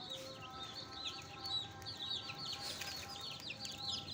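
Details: Newly hatched pet chicks with a hen: insistent high peeps, some with rising or falling slurs, many voices overlapping, with faint steady tones and low hum in the background.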